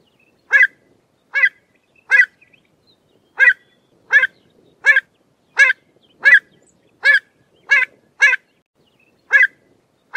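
A pied avocet gives clear, fluty 'kluit' notes, about fourteen in ten seconds at an uneven pace, against a quiet background.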